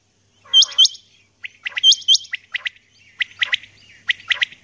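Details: Female common quail calling in the early morning: sharp, hooked whistled notes in pairs, then a run of short, clipped, buzzy notes given in twos and threes, each group about half a second apart.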